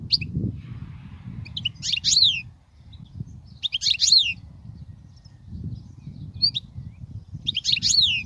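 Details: European goldfinch song for teaching young goldfinches, heard as separated bursts of tinkling, descending twitters roughly every two seconds, with quiet gaps and low background rumble between phrases.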